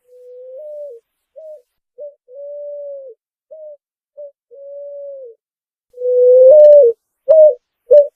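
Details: Picazuro pigeon singing alone, low steady coos near 500 to 600 cycles: long level notes alternating with short clipped ones, then a louder closing phrase of three strong coos with faint clicks, otherwise quiet background.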